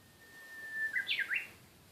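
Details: A Japanese bush warbler delivers its song, a sustained plain whistle that breaks into a brisk three-part warbled ending with sharp up-and-down slurs. Faint hiss behind, no other sounds.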